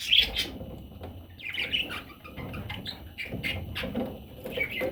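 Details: Parrot chicks giving repeated short raspy chirps and squeaks, fairly continuous, with soft rustling and low background noise.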